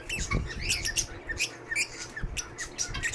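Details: Lovebirds in a rescue aviary give rapid shrill squawks and short rising chirps, several each second, against a low background hum.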